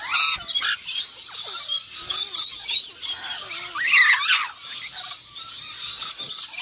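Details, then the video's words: Black-winged lory producing rasping, high squeals in irregular bursts, mixed with sharp sweeping shrieks. "Black Winged Lory"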